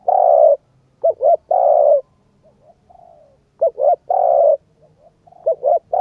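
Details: Spotted dove coo phrases meant to stimulate a decoy bird: long coos and pairs of short notes, with quieter soft cooing between the loud phrases, repeating roughly every two seconds.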